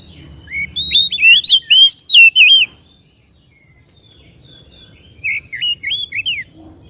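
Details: White-rumped shama song meant to stir a caged bird into song and tail-spreading: a quick run of looping whistled notes, a pause of over two seconds, then a second shorter burst of warbled whistles.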